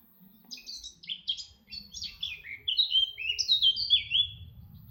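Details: In the countryside of Orduña, Bizkaia, Spain, 2025, a red-backed shrike gives a fast, clear string of chirps and squeaky downslurred notes, phrased as a rapid chattering sequence with a faint low hum behind.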